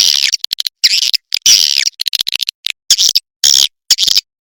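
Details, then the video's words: Swiftlet sounds meant for swiftlet farmers in Indonesia: short, harsh, high chirps in separate bursts, about two per second, with silent gaps between them. "sp kompak burung walet"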